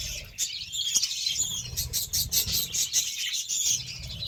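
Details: Budgerigars receiving beetroot twitter in quick, high, buzzy chirps that build into a denser chatter midway, with a few sharp clicks and a soft low background hum.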